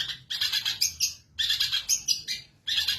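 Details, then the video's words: Long-tailed shrike in a cage, singing with vigour right after its cover is removed: dense, scratchy, buzzy chattering bursts with squeaky notes, broken by short pauses. "MASTERAN BURUNG CENDET BUKA KRODONG GACOR"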